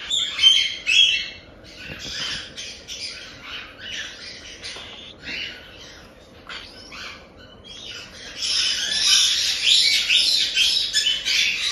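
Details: Cockatiel chicks about one month old, bred in Tokachi, Hokkaido, rasping out 'jaa-jaa' begging calls. A long run of rough, hissing squawks comes in fast, uneven pulses, then swells into a loud, steady chorus near the end.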